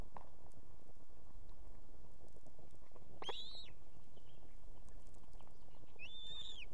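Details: Osprey female on an Estonian nest with two chicks, summoning the male to bring fish; two arched, high whistled cries, the second near the end, with faint clicks and constant hiss.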